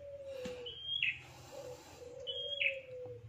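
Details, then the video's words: Bar-winged prinia lure call, used to draw birds in for catching breeding stock: a bright whistled note followed by a sharp downward-sweeping chip, given twice, over a steady low hum-like tone. "SUARA PIKAT PRENJAK TANPA ZONK"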